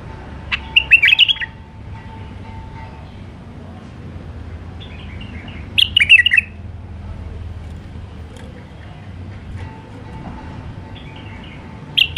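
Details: White-eared bulbul, a wild Iraqi bulbul, delivering Alwazi-style song: three brief, liquid warbled phrases spaced roughly five seconds apart, with a low steady hum and quiet background between them.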